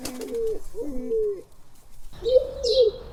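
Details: Soft, deep pigeon coos, the rhythmic group call of a social flock, several drawn-out notes with a louder rolling coo near the end over faint background noise.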